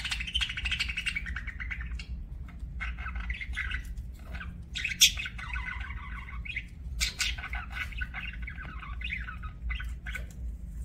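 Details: Budgerigar chirping: a fast, scratchy warble of chattering notes with sharp chirps breaking out in bursts, quiet pauses between phrases, and a steady low hum underneath.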